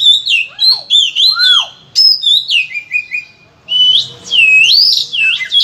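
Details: Oriental magpie-robin singing a loud master song with full varied phrasing, meant to trigger singing in other magpie-robins: wavering, looping whistles and slurred rising-falling notes, with a short quiet break midway.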